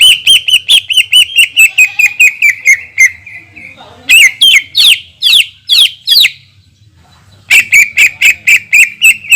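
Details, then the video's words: Long 'tembakan' shooting phrases of a vigorous greater green leafbird used as a lure to rile other leafbirds: rapid runs of sharp repeated notes, a sustained whistle, then a set of loud sweeping upslurred calls and another fast volley. "PANCINGAN CUCAK IJO GACOR DENGAN TEMBAKAN PANJANG YANG MEMATIKAN"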